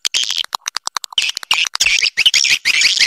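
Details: Swiftlet calls played to make birds stay and build nests: quick thin chirps at first, then continuous shrill twittering with rising and falling notes.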